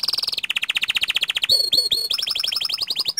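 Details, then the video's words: Full-voiced panda canary rolling: a high trill dropping into a rapid lower pulsed roll, then a few ringing swept notes and a fast series of rising whistles. "Suara Kicau Kenari PANDA Gacor Ngerol Nembak Panjang"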